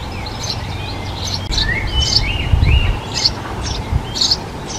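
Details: Eurasian tree sparrow nesting in a nest box previously used by great tits, giving short chirped calls with sliding notes, mixed with other high bird notes over low rumbling background noise.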